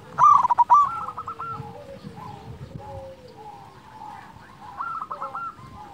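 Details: Strong-voiced local zebra dove, used to arouse and challenge quiet doves into singing: a loud harsh opening burst, then trilling coo series and lower drawn-out notes fading, another short coo string near the end.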